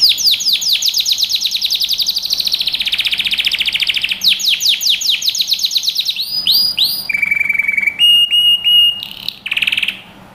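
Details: Canary training song with long dense rolling trills, a brief pause, more rapid chattering, then looping swooped notes, a flat whistled tone with clicks, and a short buzzy ending.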